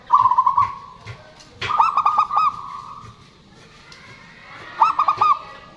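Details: Local zebra dove singing, used as a lure to prompt birds that stopped singing; males and females answer each other. Rapid bursts of short, throaty cooing notes, each phrase ending in a drawn-out hum, repeated twice with a quiet gap between.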